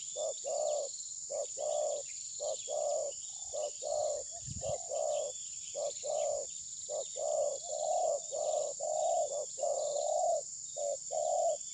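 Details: Spotted dove decoy calling while trapping, the bird unwilling to attack its rival. Phone recording of a steady series of low hollow coos, about one per second, one thump midway, and continuous shrill insect noise.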